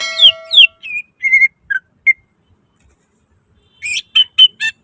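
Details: Greater green leafbird performing 'gacor full isian' song: opening sliding whistles over a steady harmonic tone, a few clear whistled notes, a silent gap, then a run of crisp chirps.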